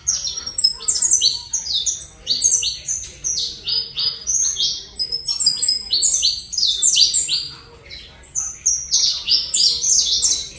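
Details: Saffron finch in Colombia singing long, lively phrases of high, quick downslurred chirps, repeated in bursts separated by short gaps.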